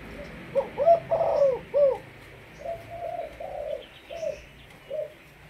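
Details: Malaysian spotted dove, a decoy bird, calling a burst of quick, hollow, slightly wavering coos followed by several slower, level coo notes spaced about half a second apart, with faint background hiss.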